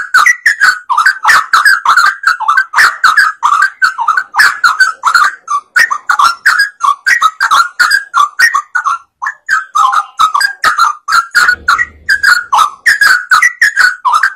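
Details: Sooty-headed bulbul singing actively, used as a lure to set other birds singing: dense run of bubbly, warbled notes around the middle register, tumbling in quick bursts almost without pause over fourteen seconds.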